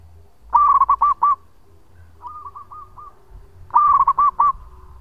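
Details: Local zebra dove singing with a long voice, meant as a lure: two loud bursts of rapid, bubbling coo notes framing a softer, more distant coo phrase, over low background hum.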